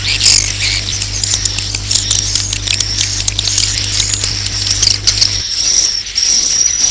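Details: Swiftlet lure call meant to draw swiftlets in to roost: continuous high twittering chatter with clicks, a low hum that stops after about five seconds, then thinner high chirps continue.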